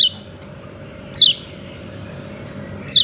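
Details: Yellow-breasted white-eye calling "ciak ciak" with brief high chirps that drop sharply in pitch, three heard roughly every 1.5 seconds against a faint background hum.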